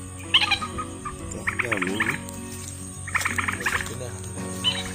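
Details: Common moorhen (Gallinula chloropus) call, used as a lure to attract moorhens at night: short bursts of harsh, clucking notes in quick clusters about every second and a half, over a steady electronic hum.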